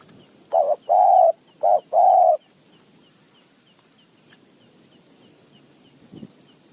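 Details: Spotted dove, wild, calling back to a decoy in high mountain forest. It gives two short-then-long coo pairs in quick succession, then falls silent apart from a faint tick and quiet background.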